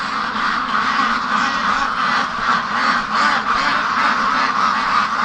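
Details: A flock of free-range domestic ducks, penned on an October 24 morning at about +7°C and worked up wanting out to the lake, quacks nonstop in a dense, overlapping chorus of harsh, nasal quacks, roughly three per second.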